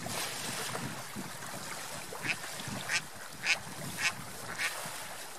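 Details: Ducks swimming and flying on a lake: a series of short, harsh quacks about every half second to second, over a steady background of water noise.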